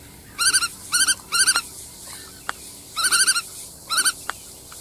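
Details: Black-tailed godwit calling in short chattering bursts of three or four wavering, nasal notes, two groups separated by a pause, with a few faint clicks between them.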